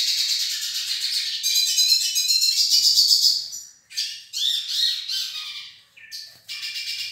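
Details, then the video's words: Pair of Nordeste hooded siskins in song: long continuous high twittering warble for several seconds, then broken into short bursts of chattering notes separated by brief pauses. "Casal pintassilgo do Nordeste"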